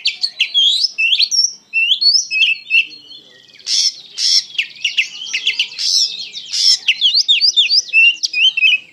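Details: Oriental magpie-robin in full, emotional song: a dense, continuous torrent of high twittering notes, quick whistles and harsh bursts, barely pausing.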